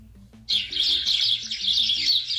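A sparrow chirps in a dense, unbroken run of bright, high twittering notes for about two seconds, over faint low tones in the background.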